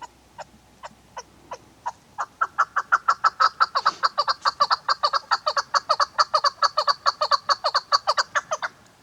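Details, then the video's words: Female chukar partridge kept as a hunter's bird, giving a series of clucking chuck notes: about five slow, spaced notes, then a louder, accelerating run of about thirty rapid, even notes, roughly four per second, with no other sounds. "شکاری چکور خوبصورت آواز"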